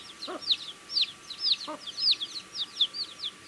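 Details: Several baby chicks eating food and peeping, a stream of high arched chirps that slide down in pitch, irregularly spaced, with two brief lower taps from pecking.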